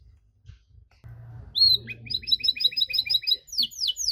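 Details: Belgian canary; song; provoking other canaries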